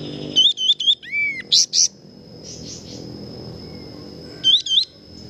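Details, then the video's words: Lively kapas tembak song used to train other birds: quick paired whistled notes, a descending slurred phrase, loud buzzy bursts, softer notes, then another whistled pair, with a constant high tone in the background. "suara burung kapas tembak gacor"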